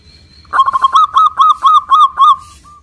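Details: Local zebra dove in full song, used as a lure to get silent doves calling: a run of about nine hooked, ringing coo notes, evenly spaced and rapid, loud against a quiet background.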